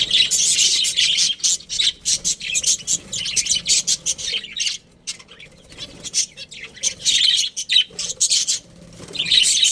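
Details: Chattering budgerigars, a breeding pair kept in a colony: long stretches of shrill, scratchy warbling, with rapid staccato chirps between bursts and a short quieter spell midway.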